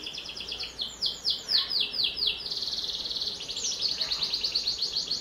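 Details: High, energetic canary song used to stimulate young canaries: quick descending slurred phrases give way to a long rapid rattling trill, then another pulsed roll.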